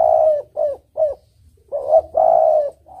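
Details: Spotted dove singing, recorded for luring birds: several short rounded coos followed by a longer, fuller drawn-out coo, clear and mellow against a quiet low rumble.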